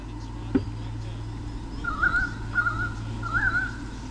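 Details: White-bellied sea eagles, a breeding pair filmed by nest cam in Sydney Olympic Park, Australia, 2013, defending territory against currawongs. A sharp knock, then three bouts of wavering goose-like honks, steady mechanical hum throughout.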